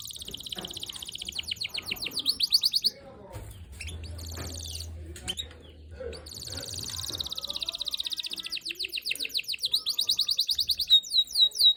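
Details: Canary in full song, described as in top singing form: loud, rapid trilled phrases and fast repeated chirps high in pitch, a brief pause with low hum midway, ending in quick descending notes.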